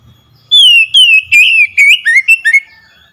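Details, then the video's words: Oriental magpie-robin singing, used to spur a quiet bird into full song: a run of seven or so rich whistled phrases, sliding up and down, quickening toward the end, with faint low hum beneath. "PANCINGAN CEPAT MENGATASI KACER MACET BUNYI CEPAT NGEPLONG GACOR"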